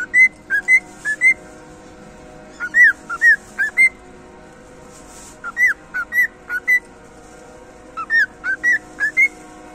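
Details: Cockatiel singing a whistled song: groups of short clear whistled notes, rising and falling, delivered in bursts of about five notes separated by brief pauses, over a faint steady hum.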